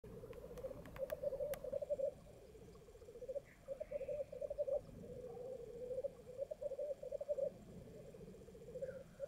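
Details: Black grouse at World's End in thick fog: continuous bubbling, dove-like rookooing in bursts lasting a second or two, repeated with short gaps, distant and soft, with a few faint higher calls and clicks.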